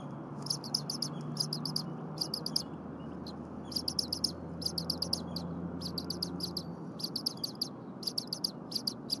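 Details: Berry College eagle nest on a January 2022 morning: the well-fed eaglet chirps nonstop as the mother tears fur off frozen prey. Piercing peeps arrive in tight clusters every second or so, with a constant rumbling background.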